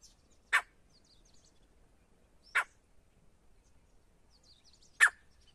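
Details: Wild male grey partridge, called for hunting: three loud, harsh, broadband single notes about two seconds apart, each a brief rasping burst against a quiet background.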